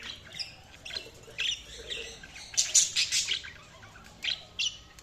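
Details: Budgerigar chirping quietly with soft warbling twitters, building to a louder cluster of scratchy chirps midway, then a couple of short separate calls.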